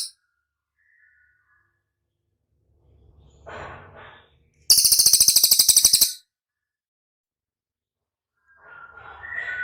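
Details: Cililin, a training recording played to prompt caged birds to respond: one very high, buzzy trill of rapid even pulses lasting about one and a half seconds, set between quieter stretches with faint low rustling.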